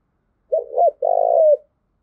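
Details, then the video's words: A single loud spotted dove coo phrase, used to train decoy birds and excite males. Two short hoarse notes lead into a long, purring, slightly falling coo. The background is quiet. "tiếng cu gáy thúc gù gáy gọi tập bổi kích trống hiệu quả"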